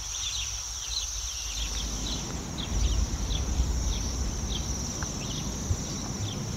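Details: Bohemian waxwing flock perched high in a city tree in Yekaterinburg in spring, digesting berries from rowan and hawthorn; thin high trills continue throughout over a low rumble of background noise that grows after the second second.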